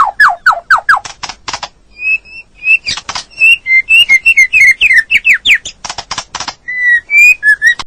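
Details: Training recording of white-rumped shama song with fill-in phrases: a series of downslurred whistles, sharp clicks, then level and rising clear whistles mixed with quick rattling notes, delivered at a brisk uneven pace.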